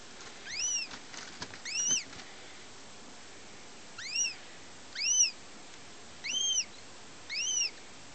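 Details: Female goshawk of German and Finnish stock, first hatched in 2009, uttering arched, whistled calls in pairs and singles with irregular gaps of one to two seconds; faint clicks and rustling between calls.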